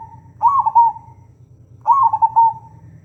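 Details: Local Indonesian zebra dove (perkutut), recorded as a lure to prompt other doves to sing, giving two soft, trilled cooing phrases about a second each, a steady pitch with a slight rise at the start, separated by a pause over low background hum.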